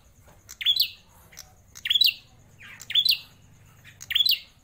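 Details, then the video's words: A captive prinia (prenjak klawu), kept for over four years and described as rare, gives loud, sharp, rising chirps about every 1.2 seconds with short high ticks between, over a low background rumble. "Prenjak klawu gacor, suara lantang"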